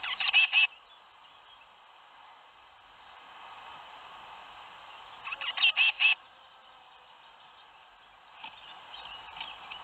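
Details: Tits leaving a nest box at Théding on 21 May 2019, seven fledging: two loud bursts of quick, shrill chirps about five seconds apart over a faint steady hiss, a softer flurry near the end.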